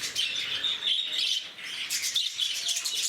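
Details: Active, noisy lovebirds held at Bannerghatta Zoo in Bangalore give sharp, squeaky chirps and rasping squawks, a short pause, then another burst of dense chatter.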